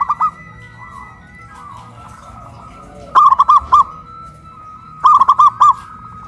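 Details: In Kuningan, West Java, caged local zebra doves hoisted up a pole coo loudly, pitting a big voice against a crystal voice. Soft notes open the recording, then two loud phrases of clipped, rolling coos two seconds apart over a faint steady tone.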